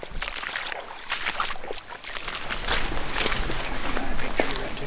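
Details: Outdoor rustling, footsteps and sloshing through brush and water on a Florida turkey hunt, with faint voices and no clear animal call.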